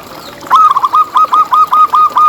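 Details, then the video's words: Vigorously singing local zebra dove, played to draw other zebra doves into song: a sharp opening note, then about eight even, bright, slightly rising-and-falling coos in steady rhythm. "Lokal Gacor Suara Paling ISTIMEWAcUntuk Pancingan Burung Perkutut Agar BunyiTerus"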